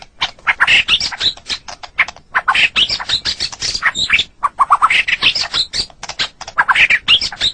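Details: White-rumped shama singing in a recording made for training songbirds: a dense, busy stream of harsh chattering and squeaky mixed notes, with only brief gaps between bursts.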